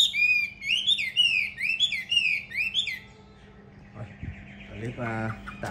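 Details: Hwamei raised as a trained fighting bird, filmed indoors: about three seconds of smooth, repeated whistled slurs in bouncing pairs, then the song fades and a man's voice is heard.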